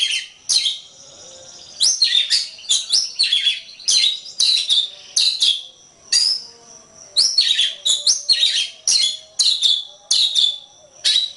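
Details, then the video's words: Oriental magpie-robin (kacer) song, recorded as a masteran track for training songbirds: loud, sharp whistled and scratchy phrases in rapid bursts, short pauses between clusters, high-pitched throughout, no other sounds. "Ocehan Suara Burung Kacer"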